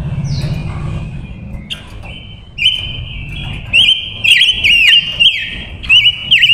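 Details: Female silver-eared mesia kept as a decoy, singing to attract and provoke wild males: a sustained high whistle breaking into looped, warbling inflections in short bursts, with faint low hum behind.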